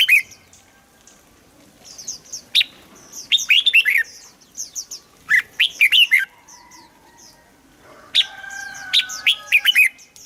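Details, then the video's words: Red-whiskered bulbul, recorded for decoy luring or to make birds lively: three separate bouts of fast, rolling whistled notes, with thin high chirps and a faint steady tone between bouts. "เสียงนกกรงหัวจุก สำหรับต่อ หรือ เปิดให้นกคึก"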